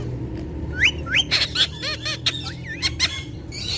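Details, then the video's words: Talking ringneck parakeets that voice Urdu and Hindi. They give rising squeaky notes, then a string of arched, warbling chirps and short clicks. A low musical hum sits beneath. "Gorgeous Ringneck Talking Parrots With Their Melodious Voice In Urdu Hindi"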